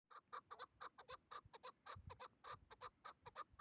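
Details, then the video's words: Hybrid chukar partridge, a hunting bird used as a tethered decoy, calling during a hunt: rapid series of short, harsh clucking notes in uneven bursts. "Кабки Гибрид дар вақти шикор"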